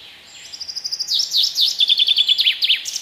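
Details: A Common chaffinch sings a bright song: a quick run of high notes falls into a loud, descending cascade of slurred chirps and ends in a brief flourish.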